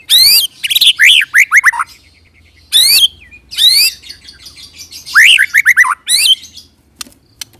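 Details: White-rumped shama rolling song (roll tembak) played to make other shamas answer; dense phrases of sweeping whistles, chips and buzzy notes, falling fluty series, separated by short pauses.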